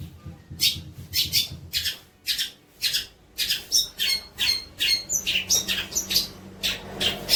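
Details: Long-tailed shrike song for tutoring young shrikes: harsh, rasping high notes delivered singly at first, then faster and denser, with squeaky whistled bits mixed in.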